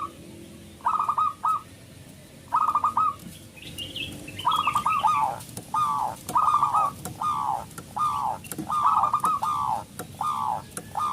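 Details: Local zebra dove in active song, meant to provoke and excite other doves into singing: repeated short coo phrases roughly every second, notes hollow and rolling, with a brief higher twittering from another bird midway.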